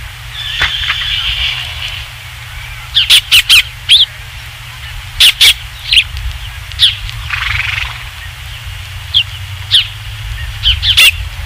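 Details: Osprey calling at its ranch nest, evening of 27 July 2016, at the third fish brought in: sharp high chirps repeated irregularly every second or so, broken by sudden loud clicks and a low background hum.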